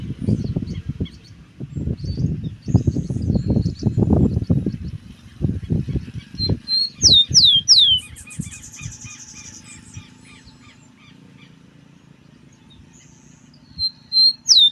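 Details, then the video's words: Rufous-collared sparrow singing at 5 in the morning: a burst of three clear, downward-sweeping whistles mid-clip and another pair at the end, with loud low rumbling and knocking noises early on. "Tico tico madruguero cantando as 5 da manhã"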